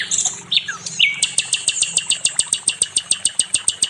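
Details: Nightingale (sikatan londo) in a master recording for teaching songbirds: several slurred descending whistles, then an even series of crisp, high ticking notes repeated a little over twice a second.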